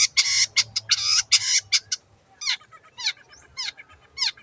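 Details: Long-tailed shrike in full, vigorous song, used to coax silent shrikes into singing: dense harsh buzzy bursts for two seconds, then separate sharp downslurred notes about every half second, with a faint low hum beneath.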